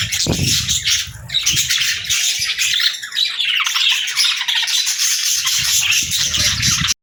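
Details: Budgerigar chatter from pet birds: a steady wash of high, buzzy chirps, squawks and warbles running throughout, with some low knocking and handling noise near the start.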